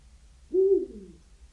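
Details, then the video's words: A Eurasian Eagle-Owl gives one deep, resonant hoot that swells quickly, then slides lower and fades over about half a second against a faint low hum. Such hoots carry up to 4 km on still nights. "Its deep hoo-hoo can be heard up to 4 km away on a still night echoing across valleys and cliffs."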